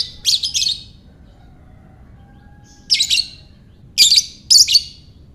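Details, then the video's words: Lovebird ngekek, played to get other lovebirds singing: clustered pairs of sharp, buzzy, high squeaks, one double burst, a pause of two seconds, then three quick double bursts in succession. "Buat Mancing Lovebird Bagus Ini | Lovebird Ngekek"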